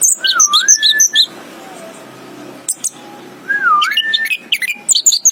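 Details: Anis kembang, or orange-headed thrush, opens with a mellow, wavering whistle under high squeaky chirps, falls quiet for about two seconds, then repeats the wavy whistle followed by sharp high notes.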